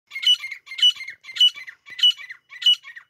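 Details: Grey francolin pair calling, a recording used by hunters: harsh, scratchy phrases repeated about five times in three seconds, each with a bright ringing note in the middle, with clean silence between phrases.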